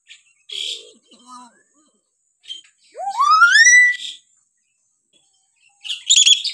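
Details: Hill myna call variation for tutoring young or silent mynas: scattered soft chatter and short notes, then one loud rising whistle, followed by harsh noisy bursts.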